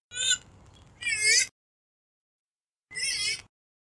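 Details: Calls of a purple swamphen (kalim) played to lure birds for hunting: a harsh nasal squawk, then a louder rising-falling wail, a pause, and one more strained squawk near the end.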